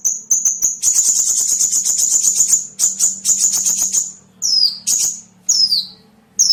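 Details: Small bird lure sound: a dense, buzzy, very high trill for about four seconds, followed by separate clear whistles that drop in pitch, over a faint low drone.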